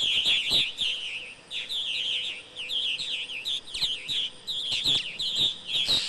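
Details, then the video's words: Purple martins chatter in a continuous stream of rich, gurgling chirps and warbled notes, several birds overlapping with barely a pause. "Purple Martins"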